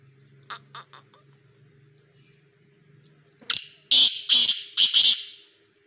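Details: Hobby-kept black pheasant: a few soft clicks, then after a pause a series of loud, coarse, raspy bursts in quick pairs, with a constant high-pitched whine and low hum behind.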